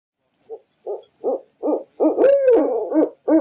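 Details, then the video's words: Barred owl: five short, deep hoots quickening and growing louder, then breaking into a loud run of overlapping, wavering hoots and a sliding cackle. "Barred Owl Sounds"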